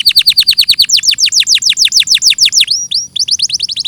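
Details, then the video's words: Canary in a clear tutor recording: a quick run of falling whistled notes, then louder, broader sweeps and a brief pause. Another burst of rapid chips follows. "Masteran suara burung KENARI"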